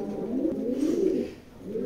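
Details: Low, rolling coos of racer pigeons, swelling up then trailing off into quiet near the end.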